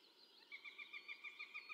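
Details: Female Northern goshawk at a forest feeding site in 2019, giving its typical cackling call: a quiet, rapid series of sharp, even notes repeated about every 0.15 seconds after a brief silence.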